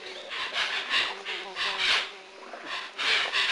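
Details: Hoatzins at Lago Sandoval, 1999, producing harsh, wheezy, hissing rasps in short breathy bursts, about two per second with brief pauses between groups.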